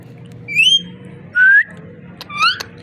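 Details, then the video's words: A parrot's three clear whistles: a bright rising one, a lower steady one, then a short upward-slurred note, over a low hum. "Amazing parrot talking and voice"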